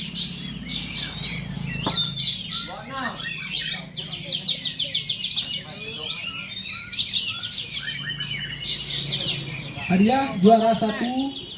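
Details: Contest bulbuls of the kapas tembak class at Bonjol, Pasaman Timur sing lively, varied phrases: clustered high chirps, quick trills and descending slurs, with a louder bubbly burst near the end and a murmur of people behind.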